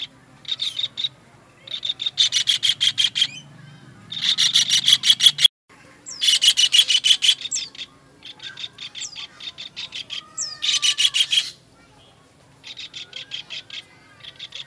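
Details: Kingfisher calling on a master recording for training songbirds. Repeated trains of fast, grating notes, each lasting about a second, alternate with short silences. Occasional high downslurred whistles sound between the trains.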